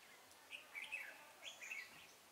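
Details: Red-whiskered bulbul, a decoy bird used in trapping, singing to challenge rivals: short warbled, slurred phrases in brief bursts over a quiet background.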